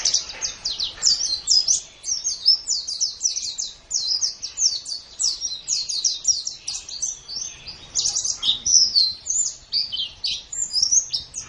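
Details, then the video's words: Long, unbroken white-eye master song used to train other birds: rapid, high chattering phrases of clipped chirps repeated in quick succession, with twisting whistles near the end. "Ocehan Suara Burung Pleci"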